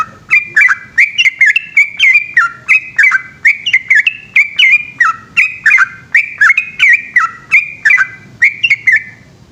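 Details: A long, rolling 'ropel' song from a yellow-vented bulbul (trucukan) at night in Indonesia: an unbroken run of bright, warbled whistle notes, roughly three each second, with a faint low background murmur.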